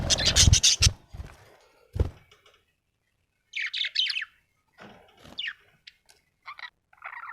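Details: Happy budgerigar chirping: loud scratchy chatter at the start, then after a pause short warbled phrases and quick chirps, with occasional low knocks.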